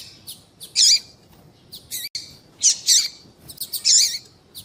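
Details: A female double-collared seedeater calling to attract males; bright high doubled chirps with a curling lower edge, repeated roughly every second, mixed with faint ticks.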